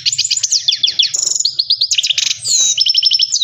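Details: Himalayan goldfinch (Carduelis caniceps), song.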